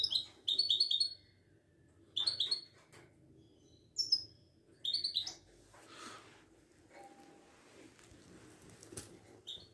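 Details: Moroccan ouidani European goldfinch at a bird market in Casablanca. Short bursts of bright, high twittering notes come in clusters roughly every two seconds, separated by quieter gaps, over a faint low murmur of background noise.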